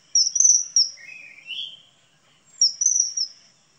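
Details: Two bursts of sharp, high-pitched whistles from a common kingfisher (Alcedo atthis), with a lower, rising slurred note between them and a short silence before the second burst.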